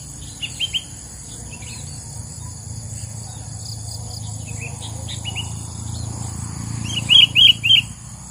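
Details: Sooty-headed bulbul in the wild, recorded during trapping: scattered short chirping notes, then a quick burst of three sharp, bright chirps near the end over a steady insect hum and low background rumble.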